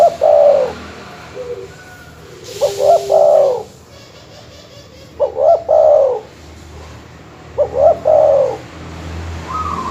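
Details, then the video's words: Master-call dove cooing used to stir up rival birds: four loud, rolling, mid-pitched coo phrases about every two seconds, each with a stuttering start and a drawn-out falling end, over light background hiss. "suara masteran terkukur/kutut bikin emosi lawan"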